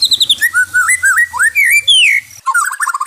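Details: White-rumped shama song played as therapy for stressed birds: a fast run of clear whistled notes, slurred rising and falling phrases around the middle, then a quick warbled trill with a brief hum underneath.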